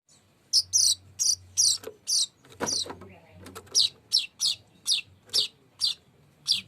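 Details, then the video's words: Weaver song, labelled a long rolling 'tembakan' style: clipped high notes repeated roughly every half second, each a quick downward slur, with a brief scratchy rattle midway. "Tembakan NGEROL PANJANG BURUNG MANYAR"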